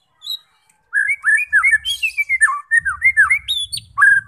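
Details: A White-rumped shama sings to stir fighter shamas into song: a continuous string of clear, looping whistled notes rising and falling, with one brief harsh burst in the middle and a faint low rumble behind.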